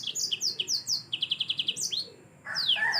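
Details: Gacor song of a yellow-fronted canary, meant as tutor material for cage birds: quick high notes, then a fast even trill of about eight notes, a rising whistle, a short pause and more bright twitters.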